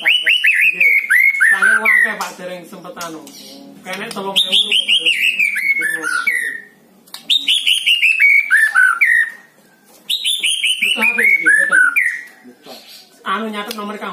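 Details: White-rumped shama song used to coax a lazy bird into singing: loud whistled phrases, each a fast descending cascade of notes, repeated about every three seconds with short pauses and harsh chattery fragments between.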